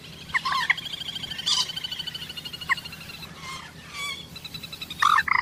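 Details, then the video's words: Common moorhen, or jal morgi, produces a mix of loud sharp calls and long runs of quick, gobbling pulses. A burst of several harsh notes comes near the end. "Common Moorhen birds sound || Jal morgi ki awaz"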